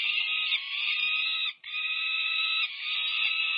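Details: Peregrine falcon chicks over five weeks old at a nest camera at UC Berkeley, California, 18 May 2023, nearing fledging during a feeding frenzy; harsh, rasping, continuous screaming wails with a brief break midway.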